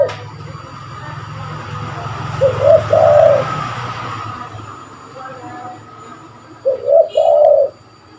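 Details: Spotted dove, a call used to lure birds: two mellow, low coo phrases, each of quick notes and then a longer rolling note, about four seconds apart, over steady rumbling background noise.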